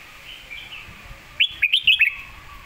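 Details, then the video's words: Red-whiskered bulbul singing a master-style phrase used to tutor other birds: a quick burst of five bright, warbled whistled notes rising and falling, after a soft faint warble, with light background hiss. "คมชัดลึก"ดอกสวยๆ สำนวนแม่บท/ไว้สอนนก"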